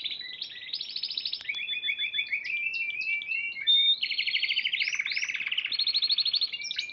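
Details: Champion Spanish Timbrado canary at the Piala Raja singing competition, March 2014, delivering varied song. Pure whistles, short upswept notes and loud pulsing rolls change pitch quickly throughout.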